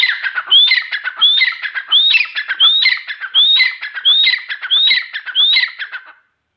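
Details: Grey francolin, or Irani teeter, in a continuous bout of eight or nine rising whistled notes. Each note is followed by buzzy, rattling harmonics, and the notes come at a brisk, fairly even pace.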